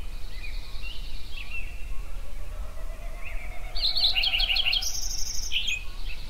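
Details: Yellowstone songbirds greeting sunrise with overlapping songs: soft whistles early, then a loud quick sequence of sharp twittering notes and a high thin whistle near the end, constant low background rumble.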